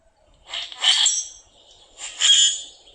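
Common Grackle giving two harsh, buzzy, clicking bursts about a second and a half apart, high and unmusical with no clear rhythm.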